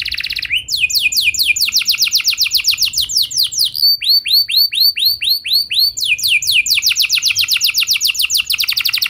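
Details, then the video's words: Lure song of a canary to start other canaries singing: steady fast trills of curved notes, changing to slower swooping phrases mid-way, then back to rapid rolls. "Pancingan Ampuh Buat Kenari Kondisi Apapun! Bakal Langsung Nyaut Ikut GACOR Panjang"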